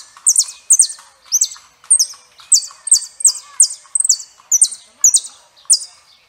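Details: Saffron finch singing a steady run of loud, high, down-slurred chirps, about two per second, each a bright whistled note with a sharp start, over a quiet background.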